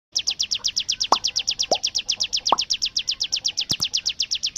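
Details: Bar-winged prinia (ciblek gunung) in full 'tembakan bren' song, a machine-gun-like burst of rapid, evenly repeated high chips, about nine per second, with a few faint lower clicks underneath.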